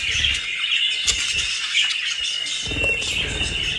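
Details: Pet budgerigars in the Netherlands feeding on dry leaves and grass; a continuous chattering warble of chirps and squeaks runs without pause over a steady rustling background with low knocks.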